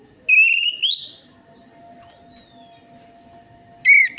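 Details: Orange-headed thrush lure song to prompt a quiet bird to sing. A short warbled phrase rises in pitch, then a long, clear, high whistle drifts downward. A faint steady hum runs underneath, and a brief chirpy phrase comes at the end.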